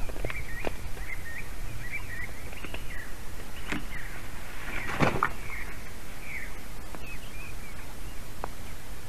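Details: Excited squealing of a female white-tailed eagle on a nest in Latvia as the male arrives with a carp on 22 March 2019: high, thin squeals in quick irregular bursts, broken by knocks and rustling at the nest.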